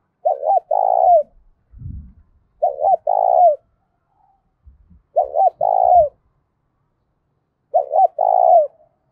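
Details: Spotted dove cooing loudly and resonantly as a fighting challenge, four matching phrases about every two and a half seconds, each two brief looping notes and a longer burry coo, with low knocks between phrases.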